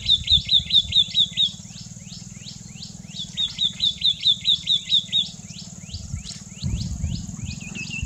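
White-naped tit singing two bright bursts of high, rapidly repeated sweet notes, about five a second, with sharp downslurred chips between, over a low background rumble.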